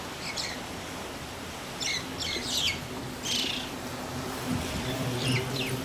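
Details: Two mynas give harsh, scratchy chatter in irregular bursts of squawks and rasping notes, over a steady low background hum.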